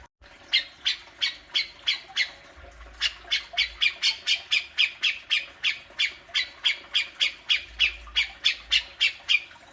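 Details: Grey-cheeked bulbul giving its besetan, played to prompt a kept bird to call: a fast series of harsh, scratchy squawks, about three to four per second, with one short pause near the start and then continuing steadily.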